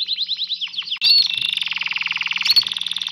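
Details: A canary sings while mating. Rapid repeated chirps are followed by a dense, buzzy trill of fast pulses, and a bright whistled note is heard twice, over a low steady hum.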